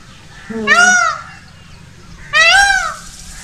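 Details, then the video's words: Indian peafowl (peacock) calling around its courtship dance: two loud, nasal, arching wails about two seconds apart, each a rich stacked cry that rises then drops, over a quiet low hum. "peacock sound | peacock call & peacock dance | मोर ध्वनि || mor ki awaz"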